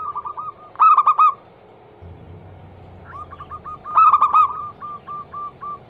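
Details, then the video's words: Zebra dove (perkutut) of local type used as a lure to start other doves singing, a female said to call the male. Twice a loud, harmonic-rich coo phrase rises over trailing series of softer, fast coos, with a low hum mid-way. "Atasi burung perkutut MACET BUNYI - Pancingan Manjur Langsung Nyaut"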